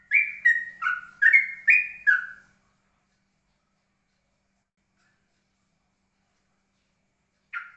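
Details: Steady, calm ropelan song of a yellow-vented bulbul: about six quick, liquid, whistled notes stepping up and down within two and a half seconds, long silence, then one more note.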